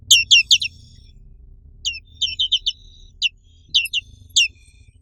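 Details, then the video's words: High, sharply descending chirps from a black-capped white-eye, a bird found only in Indonesia, in quick groups of three or four with pauses between, some notes trailing into a thin steady tone; soft low hum underneath. "SUARA BURUNG PLECI BLACK CAPPED"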